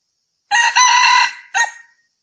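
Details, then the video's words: Red junglefowl crowing, recorded 6 February 2020: one loud, harsh crow with a long rasping middle section, then a short clipped final note after a brief gap. No other sounds. "Suab qaib qug qua zoo heev"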